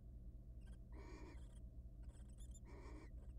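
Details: Two hoarse hissing bursts, separated by scratchy faint rustles, come from wild barn owls in a nest box, mating before egg laying, over a low constant hum.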